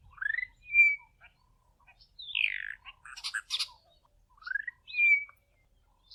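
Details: Bokmakierie; subsong; juvenile practising and learning its song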